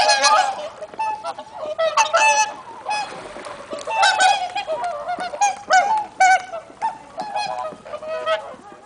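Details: Flock of swans on a calm, sunny, mild late-autumn morning, giving bursts of bugling honks in irregular clusters roughly every second or two, some louder, some distant.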